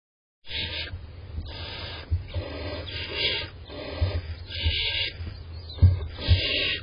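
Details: A barn owl begs with harsh, breathy hissing rasps, repeated about once a second, over a steady low rumble.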